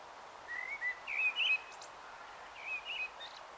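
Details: Dusk song of a common blackbird in Taunton, Somerset, on 21 March 2018; a fluted warbling phrase, a pause, then a shorter softer phrase of whistled notes over background hiss.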